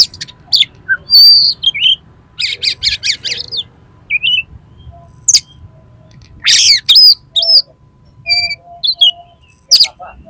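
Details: Oriental magpie-robin in a fighting, highly aroused state, singing to provoke other males into spreading their tails: sharp whistled notes, harsh raspy bursts and rapid chattering trills in irregular phrases, with a faint low hum beneath.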